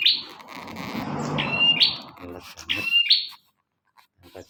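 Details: Bar-winged prinia singing energetically for a training recording: three buzzy rising phrases in quick succession, partly masked by dense murmuring noise, followed by a near-silent close.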